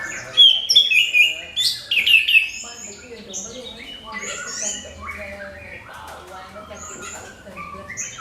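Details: Orange-headed thrush singing to stir other birds to sing, loud sliding whistles and chattering notes at first, then a softer run of varied twittering phrases.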